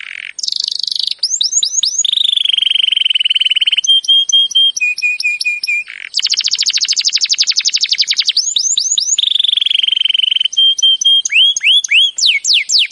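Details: Canary delivering a training song: looping whistles, a sustained buzzy roll, steady piping note runs, long dense rapid trills and swept notes, continuous and loud with no other sounds.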